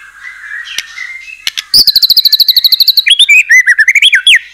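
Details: Singing white-rumped shama used to stir other shamas into song: quiet warbling, then a quick series of repeated sharp notes followed by loud looping whistled phrases.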